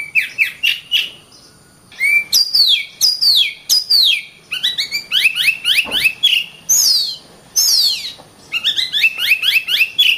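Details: Kacer, the oriental magpie-robin, in rich varied song: rapid series of descending whistles and scratchy notes, dense phrases with brief gaps between them.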